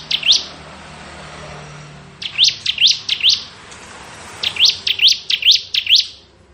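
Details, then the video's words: Bar-winged prinia, kristal type, singing in the ngebren style, a recording used to tutor magpie robins: high, sharp upswept chirps in bursts of three to five, each burst separated by about two seconds of quiet. "Suara Burung Ciblek Ngebren"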